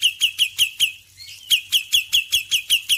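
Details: ['A male Black-winged myna sings in the morning, repeating sharp chirped notes about five a second in two runs split by a brief pause, about thirteen notes in all.']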